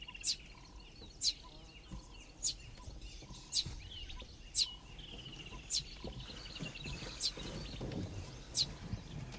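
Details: Dideric cuckoo chick raised by a pair of Southern Grey-headed Sparrows, begging to its foster parent: sharp, very high single notes repeated about once a second over faint background noise.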